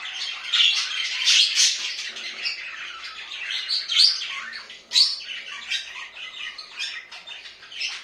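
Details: Budgerigars kept indoors give lively chattering: sharp chirps and scratchy squawks in uneven bursts, with loud peaks near the start and middle and short pauses between phrases.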